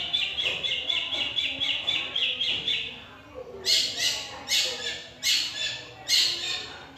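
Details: Long-tailed shrike, described as able to imitate any bird's song: a run of quick, high, repeated chirped notes, then a series of loud, harsh, scratchy bursts roughly every 0.8 seconds.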